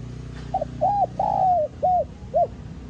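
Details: A spotted dove, or cu gáy, sings its 'giọng son' calling and urging coo: a clipped opening note, an arched coo, a long drawn coo, then two shorter rounded coos spaced evenly.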